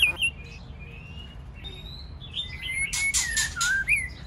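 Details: Male white-rumped shama in 'tạch' song with a female also singing, used to prompt song: long level whistles lead into a falling warble overlaid with loud raspy bursts, ending on a rising whistled note.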